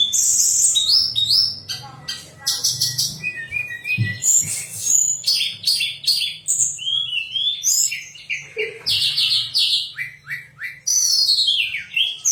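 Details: Long, sweet pied fantail song recorded as contest training material, a lively string of slurred whistles, chirps and trills with a low background hum.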